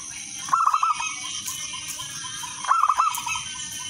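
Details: Singing local zebra dove used to prompt other doves to sing: two short phrases of quick, bubbling coo notes roughly two seconds apart, softer trailing coos, continuous high-pitched buzz in the background.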